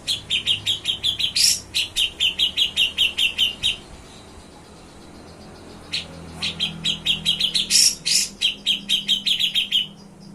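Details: Grey-cheeked bulbul, a keen singer, in nyepik ngetril style: long rapid series of crisp, clipped high chirps, a few louder shrill accents, one quiet gap of about two seconds, then the trilling series resumes.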